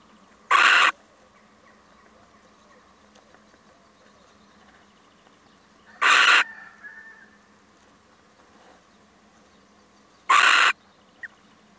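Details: Visiting male little owl repeating a rasping screech three times, roughly every five seconds, each burst short and noisy, with near silence between.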